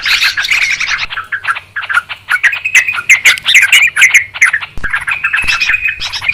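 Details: Yellow-vented Bulbul calls recorded clearly for luring birds into traps: an opening burst of busy chatter gives way to separate bubbly, liquid notes and short whistled slurs with small gaps between phrases.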